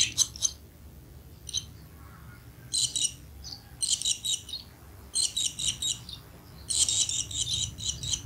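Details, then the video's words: Feeding scene of barn swallows: short, sharp bursts of high buzzy twittering recur about every second, some quick single chips between them, against a soft low background rumble. "l'Hirondelle rustique au nourrissage"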